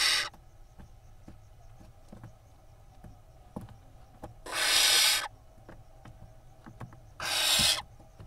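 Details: Barn owl nestlings at a nest camera in Israel, 10 May 2021, fighting over a vole in a tug of war; two loud broadband hissing screeches, each about a second long, amid scratching and rustling in the nest.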